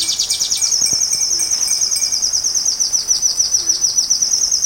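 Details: Sunbird singing as training material for a white-rumped shama. A fast, steady trill of high, sharply repeated notes runs throughout, over a constant hiss like rain.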